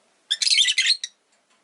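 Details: Rosy-faced lovebird kept as a pet, one loud burst of rapid, harsh, high-pitched chattering that lasts nearly a second, then a short clipped squeak, with silence around it.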